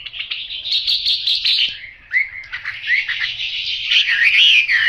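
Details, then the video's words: Hwamei with yellow bill and legs delivering a varied, tumbling song: a dense chattering phrase, a short lull, then swooping clear whistles building louder. "Họa mi mỏ vàng chân vàng"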